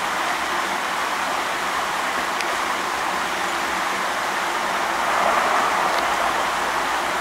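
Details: Loud, even rushing noise like running water, with two faint clicks; no animal sound.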